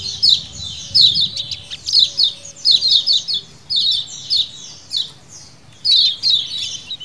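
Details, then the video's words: Lemon-bellied white-eye (kecial kuning) colony chattering in wild style, used as a lure: many high, scratchy chirps overlapping in quick bursts, roughly ten clusters in seven seconds, with a low hum beneath. "CIAKAN KECIAL KUNING KOLONI ALA ALAM BEBAS"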